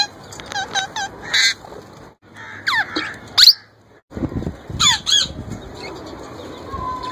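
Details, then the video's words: Young male plum-headed parakeet trying to talk and copy a ringneck parrot's voice: quick series of short hooked chirps, then a sharp rising squeak, a pause, and a burst of harsh chattering notes with grainy background noise. "My Young Plum Head Male trying to Talk & Copy Ringneck Parrot voice"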